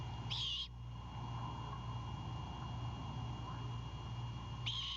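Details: Great horned owl owlet on its Savannah nest at night, 26 March 2022, defensive after its father drops off a bird: a raspy hissing burst at the start and another near the end, low hum between.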